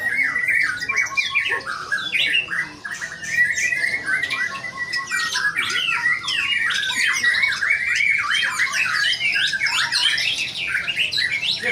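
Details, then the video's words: White-rumped shama in full, wild song: dense, rapid strings of clear whistles, rising and falling slurs and scratchy phrases, continuous for the whole stretch, with overlapping bird notes around it. "MURAI BATU METEOR TAMPIL EDAN"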